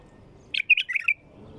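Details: A wild bulbul gives one quick phrase of four or five bright, liquid chirps, rising and falling, lasting about half a second, over a faint low hum.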